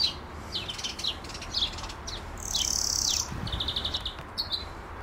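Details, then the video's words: European greenfinch, filmed with a Nikon Z6II, gives rapid chirping trills in short bursts, then a drawn-out nasal buzz near the middle, followed by more rattling twitters, with steady low background noise. "Dzwoniec zwyczajny - Greenfinch"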